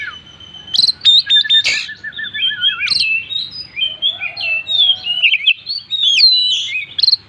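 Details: Oriental magpie-robin (kacer) singing continuously in full-isian style: steady whistled tones, sharp clicks, a wavering trill, then dense fast warbling and looping high whistles over a faint lower hum.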